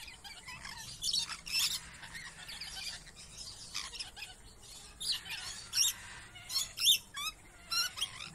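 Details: Lorikeets in a zoo enclosure in Florida give harsh, high, screechy shrieks in short bursts about every half second to second, with thin chattering notes between; deep squawks from another enclosure sound in the distance.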